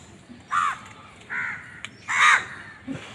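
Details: Crow uttering three harsh caws, the last loudest and longest, separated by short pauses, with a soft click in between.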